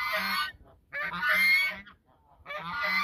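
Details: At the Sosúa River mouth, Dominican Republic, geese sing a duet of loud, braying honks: three strong harsh bursts of around half a second each, separated by brief pauses.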